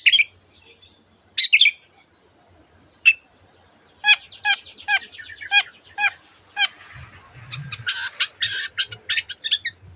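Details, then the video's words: Cendet, the long-tailed shrike, imitating canary and other species: a few scattered chirps, then a steady series of sharp ticking notes about every half second, building into dense harsh buzzy bursts near the end. "cendet gacor nembak nembak rapat isian kenari dan banyak jenis burung yang masuk masteran"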